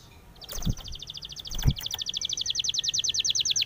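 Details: Spanish timbrado canary song for training canaries. A rapid, even trill of short bright notes rolls on steadily, opened by two soft knocking thumps.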